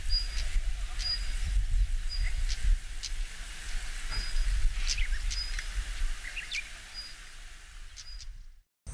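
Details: Siberian stonechat of Japanese farmland and grassland: thin, high whistled notes about once a second, mixed with dry ticking clicks, over a steady low rumble of wind.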